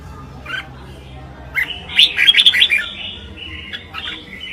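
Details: Red-whiskered Bulbul in competitive singing gives a lively burst of bright, warbling chirps and squeaky notes, with a short opening phrase first, over a faint low hum.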